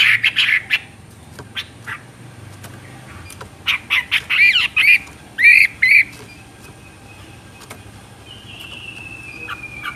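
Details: Chinese hwamei song in bursts: loud rough chattering notes at the start, a cluster of harsh warbled phrases midway, then quieter scattered clicks and a thin falling whistle.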